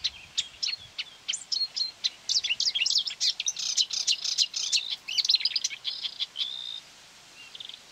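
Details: Lured by its own song, a marsh warbler near quarry workings attacks a mobile phone on 9 May 2020 and sings over it. Vivid, fast chattering and whistled mimic-like phrases end in a sustained high note, then quiet.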